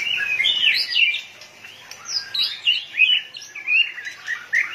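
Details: Excited white-rumped shama flicking its tail sings sweet slurred whistles that rise and fall, then a string of shorter emphatic notes in quick succession, clear against quiet surroundings.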